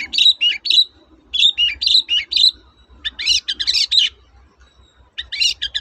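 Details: Long-tailed shrike singing in a lively toet-toet style, used to prompt silent shrikes to sing again: bursts of sharp, rising and falling whistled notes in short phrases with brief pauses, over a steady low hum.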